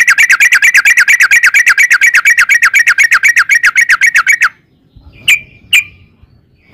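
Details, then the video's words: Yellow-vented bulbul giving a long 'ropel' roll, a steady stream of rapid, warbling repeated notes lasting over four seconds, then silence and two sharp isolated chirps. "trucukan gacor ROPEL PANJANG buat pancingan trucukan agar bunyi"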